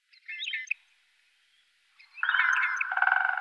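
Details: Great grey shrike filmed in the Loonsche Land, between the Loonse en Drunense Duinen and Huis ter Heide. Two short bursts of harmonic, slightly buzzy chattering notes are split by a second of silence. The second burst ends in a steady nasal tone.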